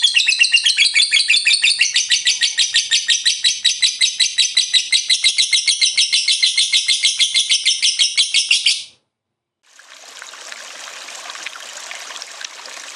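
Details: Lovebird in full ngekek chatter: fast, shrill, evenly pulsing chirps run for almost nine seconds, then stop abruptly, followed by a short silence and a soft hiss.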